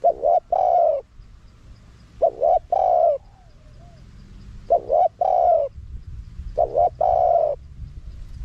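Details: Spotted dove, wild-style calling used to draw wild doves in fast: four repeated phrases of a brief doubled note and a long soft coo, with a faint low hum in the background.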